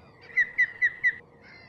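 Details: Osprey calling: four loud, clear whistled notes, each slightly falling, in quick even succession about a fifth of a second apart, followed by a fainter drawn-out note.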